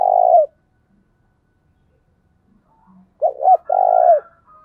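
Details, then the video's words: Spotted dove (cu gáy), a fighting-song coo, gives soft, low, hollow coos: one drawn-out note, a pause, then two quick short coos and a longer final coo, over a quiet background. "chim cu gáy// tiếng cu gáy thúc bổi căng lửa nhanh nổi"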